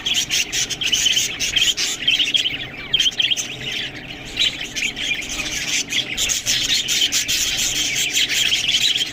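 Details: Group of budgerigars chattering while eating green food: a steady mix of rapid chirps, squeaks and harsh warbles, briefly thinning near the third second before building again.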